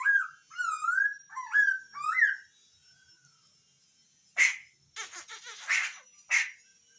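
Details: Hwamei sings four repeated whistled notes with wavering, looping turns, then after a short pause gives several harsh, rasping bursts.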